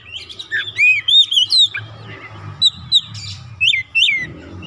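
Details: Caged oriental magpie-robin (kacer) singing varied whistled phrases: looping and rising notes in quick succession, short gaps, then two bright curling whistles near the end.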